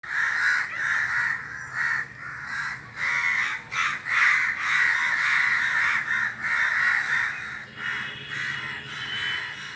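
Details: Crows in a group perched together in a tree, calling at once: harsh, raspy caws overlapping continuously, about ninety per minute, in uneven bursts with brief lulls, several birds calling over one another.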